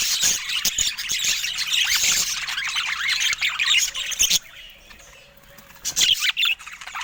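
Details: Colourful pet budgerigars chirping and chattering in a dense, busy stream of high, squawky notes for about four seconds, then a near-silent pause before another short burst of chirps near the end.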